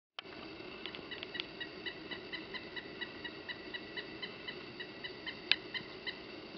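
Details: A male Pileated woodpecker approaching a suet log gives a steady series of short, high, squeaky notes, about three per second, warning a nearby Blue Jay to stay away; one sharp knock comes near the end.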